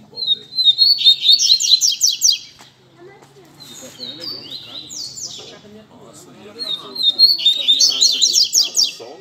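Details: Caged double-collared seedeaters at a Sunday-morning gathering of bird keepers among friends, singing two bright, fast phrases of high buzzy trills and slurred notes separated by a pause, with men talking faintly in the background.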